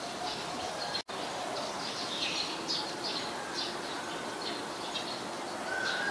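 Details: Scarlet-backed flowerpecker at Ubon Ratchathani, Thailand, on 7 February 2020, giving thin, high, sharp ticking notes in quick irregular bursts over a steady hiss, with one brief lower whistle near the end.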